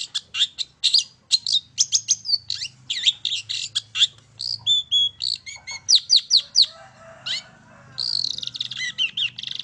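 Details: Long-tailed shrike song, used as a lure to prompt other birds to sing, from a bird singing from one spot: fast, scratchy, buzzy high notes broken by short whistles and quick chattering bursts, with a faint low hum behind.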